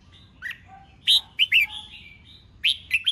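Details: Red-whiskered bulbul, a contest bird, singing in the 'ché chét' voice used to provoke other bulbuls into competitive song. Short bright whistled and chirped phrases arrive in scattered bursts with quiet gaps and a faint low hum beneath.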